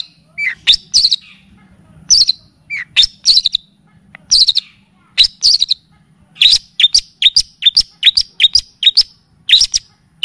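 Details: Cendet, also called pentet, the long-tailed shrike, singing on a lure recording in kapas tembak and cililin style: scattered shrill phrases at first, then a lively, faster stream of sharp upslurred chirps toward the end.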